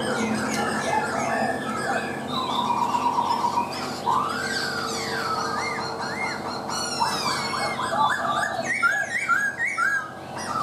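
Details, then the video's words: Laughingthrush in rich, varied song: a held wavering whistle, a broad arching note, then rapid high twittering and bouncy repeated phrases, with a persistent low hum. "Chim khướu mộc dở , a e thẩm giọng cực hay luôn"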